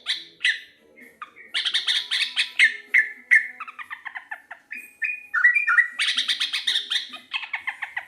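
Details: Energetic singing from a local sooty-headed bulbul: bursts of fast bright chatter alternate with trills of repeated notes and short level whistles, with brief gaps between phrases.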